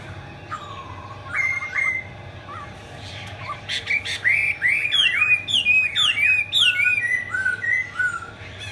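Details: A Chinese hwamei singing with its wings spread sings loud, rich whistled phrases, rising and falling slurs repeated rapidly and varied, over a steady low hum.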